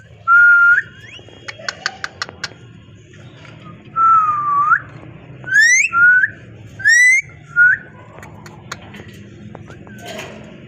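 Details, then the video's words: Parrot that talks, whistling a series of clear, level and gently bending tones of about half a second each, with brief clicks between and one upward-swooping chirp, a faint room hum underneath. "Amazing parrot voice talking sound parrot"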